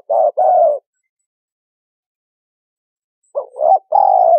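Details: Spotted dove cooing used as a trapping lure. A pair of thick coos opens the clip, then a long silence, then a rising short note and an extended, steady coo close it.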